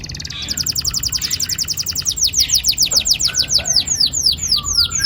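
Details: Long rolling canary song meant to prompt young canaries to sing: a dense rapid trill of high falling notes gradually slowing to wider-spaced swoops.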